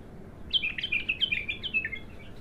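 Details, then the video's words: Abtar bulbul, untrained, singing for the first time: a quick chain of bright, slurred whistles, each dipping downward, flowing for about two seconds above faint background rumble. "تغريد الابتر"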